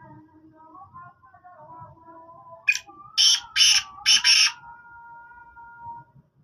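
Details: A black francolin gives a burst of four loud, harsh, grating notes in quick succession, with faint thin whistles from other birds running underneath.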